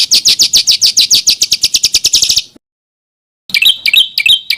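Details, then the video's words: Small bird in harsh tutoring material from Indonesia: a rapid, steady string of sharp, piercing chips, about two seconds of silence, then short squeaky whistled phrases dipping and rising. "SUARA BURUNG KECIL TEMBAKAN KASAR"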